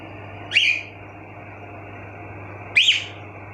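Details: A sweet upward-then-downward chirp from household cockatiels, repeated once after a gap of just over two seconds, against a faint continuous hum.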